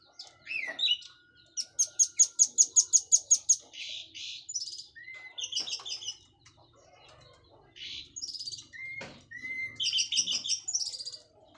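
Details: Orange-headed thrush, a local bird from Cililin just past its moult, singing an open, loud plong and teler style: a rapid even trill of about a dozen high notes, then buzzy chattering phrases and short rising whistles.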